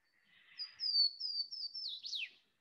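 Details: Swainson's warbler (Limnothlypis swainsonii), song.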